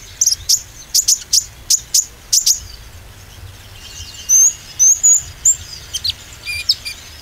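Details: Oriental white-eye, used as a lure to stir greenish and spotted birds into singing with confidence: a fast series of sharp, very high chirps in the first half, then thin whistled slurs and scattered high tweets after a short pause.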